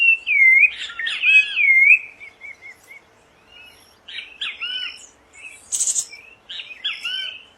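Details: Rufous-bellied thrush singing free in nature, opening with loud, clear looping whistles, then softer scattered phrases and chirps with pauses, one sharp high burst near the end.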